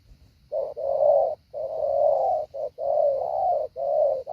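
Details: Decoy spotted dove being trained to lure wild doves calls loudly and almost without pause, running long mellow coos together with short clipped notes between them.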